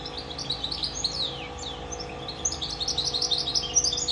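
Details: High, fast twittering warble from a goldfinch × canary mule, with sliding whistles early and a quick run of chirps in the second half, set against a constant low electrical hum.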